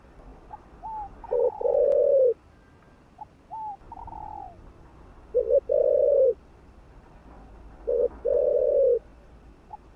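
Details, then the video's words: Spotted dove, a kept bird, cooing to stimulate other caged doves: three phrases, each a soft slurred rising note and a faint higher note, then a short coo and a long steady low coo, repeated about every three seconds; quiet background. "Chim Cu Gáy Thúc Gù. Kích Mồi.Kích Bổi Cay Cú | cu gáy kích bổi nhanh nổi"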